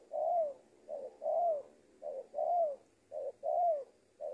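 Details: Trained lure spotted dove in Indonesia cooing: four long, smooth, falling coos each separated by a short, punchy note, evenly spaced in a regular, unhurried pattern.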